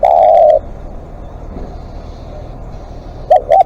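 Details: Spotted dove kept as a live decoy, calling long: one sustained loud coo, a pause of quiet hum, then two short coos beginning the next phrase.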